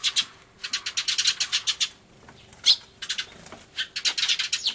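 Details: Sparrows crying loudly in a commotion, recorded 24 March 2013 with an Everio camera, a turtledove nearby; dense bursts of harsh, high chirps in rapid repeated runs with brief pauses, near-continuous chattering.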